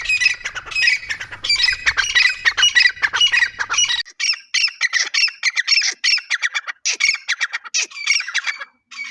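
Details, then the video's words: Grey francolin chicks giving a continuous run of harsh, scratchy squawks in quick irregular bursts, loud and busy for about four seconds, then more broken chattering in short groups. "Irani Teetar Ki Awaz"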